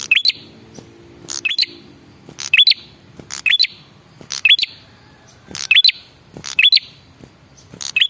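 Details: Male red-headed prinia lure call, used to make other birds reply: short bright rising chirps with sharp clicks, in bursts of two or three about once a second.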